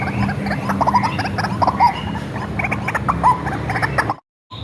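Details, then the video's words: Hand-reared, tame white-breasted waterhen, raised from young and used as a lure call, giving dense rapid croaking, clucking notes in quick overlapping bursts with a few sharper squeaky accents, then a brief silent break near the end. "SUARA BURUNG RUAK-RUAK ASLI RAWATAN DARI KECIL"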